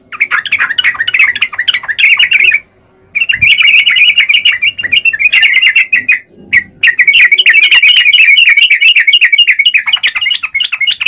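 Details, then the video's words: Energetic song of a yellow-vented bulbul: dense, rapid chattering phrases of bubbly notes, with two short silences before the busy twittering resumes. "Burung trucukan gacor..!!"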